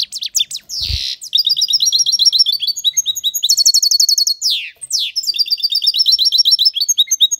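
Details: European goldfinch in strong, sustained song: a fast, continuous stream of tinkling trills and buzzy twitters, with one short burst of harsh noise near the start.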